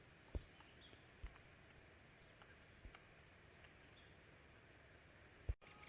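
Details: Two White-bellied woodpeckers (Dryocopus javensis) deep in the forest, pecking hard at a tree trunk while foraging: four sharp, irregular knocks over about six seconds, under a steady high insect drone.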